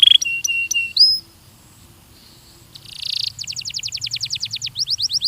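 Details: Belgian canary training song: a few clear whistled notes, a silent pause, a short hiss-like burst, then a rapid trill of repeated high notes.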